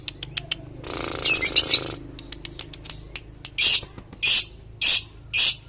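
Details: Lovebird singing as a lure, with long trilling: a scratchy rattling burst of about a second amid quick ticking chips, followed by four loud, harsh screeches spaced evenly about half a second apart.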